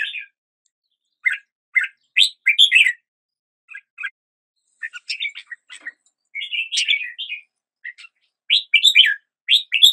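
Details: Red-whiskered bulbul singing at the start of the day: short bursts of bright, warbled whistles, rising and falling, given in phrases about one second long with brief pauses between, on a clean quiet background.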